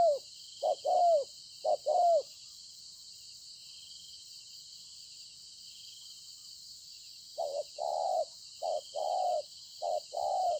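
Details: Spotted dove caught from the wild, Konlong, 26/9/2020, cooing in two bursts separated by a five-second pause, each a series of short and longer low hollow notes, with unbroken cicada-like buzzing throughout.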